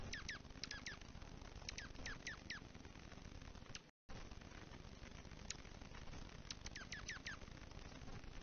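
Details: Dark-eyed juncos greeting each other at a platform feeder during the first big snow of the season, November, Kalamazoo, Michigan, giving quick, thin, downward-sliding tsip notes in loose bursts of three or four over a steady low rumble.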